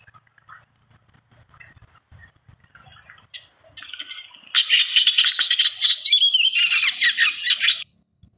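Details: Eastern olivaceous warbler recorded in Egypt in 2012: a loud, fast chattering phrase of scratchy, buzzy notes around a steady middle pitch, delivered continuously for about three seconds after a few faint quiet notes.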